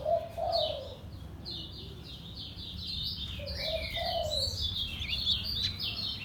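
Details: White-eye from Lombok, kept in a cage, delivering a ngejos selow song of rapid high chirps and slurred notes in a steady stream, with a dove's two-part coo repeating underneath.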